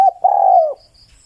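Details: Spotted dove giving a short mellow coo followed by a drawn-out, level, hollow note that fades lower at its end. The recording is quiet and close.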